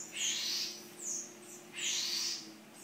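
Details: House wren, an angry father bird furious at a dog playing nearby with a battery, giving three harsh, rasping scold notes, each about half a second long and roughly one second apart, over faint room hum.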